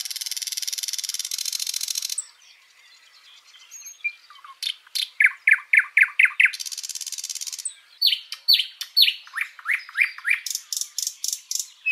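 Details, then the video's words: Backyard birds in Washington State: a long high buzzy trill, a short lull, then a series of loud descending chirps repeated about twice a second, another buzzy trill, and more chirping to close. "Backyard Birds (4K) 2 Hour Ambient Nature Film with Real Bird Sounds - Washington State"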